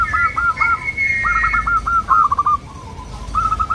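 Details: Local zebra dove song used as a lure to make wild doves answer: soft whistled coos broken into quick stuttering notes, in phrases with pauses, over a low background rumble.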